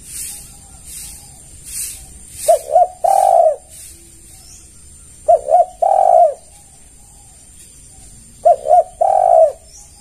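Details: Spotted dove calling to attract other doves: three phrases a few seconds apart, each two quick short coos and then a longer, even, low coo. A pulsing hiss is heard early on.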